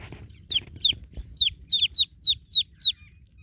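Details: Newborn chicks calling for a broody mother hen: after a low rustle, a run of loud, clear peeps, each sweeping steeply downward, spaced about a third of a second apart.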